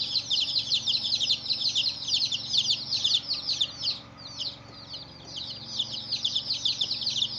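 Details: Chorus of many small colored chicks giving high, sharp, descending cheeps in a busy stream that briefly thins near the middle before swelling again, with a low background hum.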